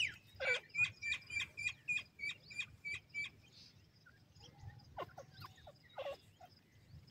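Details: Grey francolin in a jungle calling its companions and mate: a rapid run of about a dozen sharp, evenly repeated notes over three seconds, then scattered fainter calls over a low background rumble.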